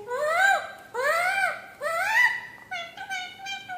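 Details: Talking parrot mimicking speech: three loud, rising-then-falling harmonic phrases about a second apart, followed by a flatter, wavering string of shorter syllables.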